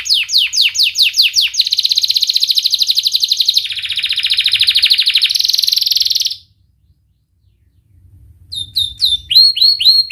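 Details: Lure song of a canary for young birds learning to sing: rapid descending whistles give way to long buzzing trills that shift pitch, a brief silence, then a new run of sharp sweeping chirps.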